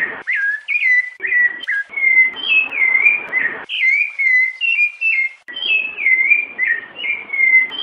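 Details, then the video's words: Rufous-bellied thrush singing the song style known as "piedade senhor": clear whistled phrases, each built of a few rising and falling slurred notes, delivered in quick succession with short gaps and a faint hiss behind. "SABIÁ LARANJEIRA CANTO PIEDADE SENHOR COM PIADOS DE FÊMEA"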